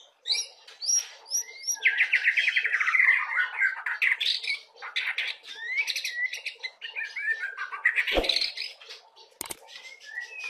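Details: Dense, busy white-rumped shama song used to prompt young birds to sing: a rapid jumble of chirps, rattles, harsh buzzes and short whistled slurs, with a couple of sharp clicks.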